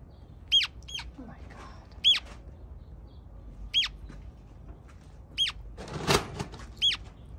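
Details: Two hatchling Western Grebes, found alone on a Bay Area reservoir and admitted to a wildlife rescue, give sharp high peeps in a steady series roughly every one and a half seconds, with one brief rustling burst and faint room noise.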